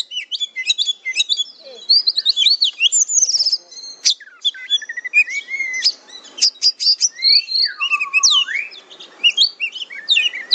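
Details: Masteran song of a kacer, Oriental magpie-robin: long run of quick varied chips, rattles and swooping whistles, with rising and falling slurs and a few lower whistled notes.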